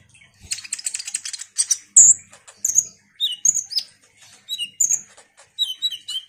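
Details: A lively konin, the ruby-cheeked sunbird, sings a lure song: a dense burst of fast high twittering opens, followed by spaced sharp whistles and downslurred squeaks in steady succession.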